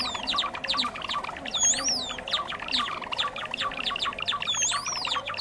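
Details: Trapping lure of Java sparrow calls: a constant chatter of quick high chirps from many birds, with two prominent swooping whistled notes rising and falling, one near the middle and one near the end.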